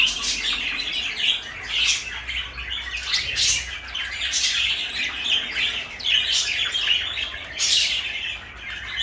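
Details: Pair of pet parakeets, a blue bird and a light yellow one, calling in a room: dense, scratchy chatter and sharp chirps rising and falling in repeated bursts throughout.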